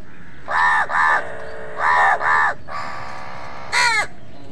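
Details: Crows fighting with other birds for food: loud, harsh caws given in pairs, a longer drawn-out nasal note, then one more strident caw, all richly harmonic over a steady low rumble.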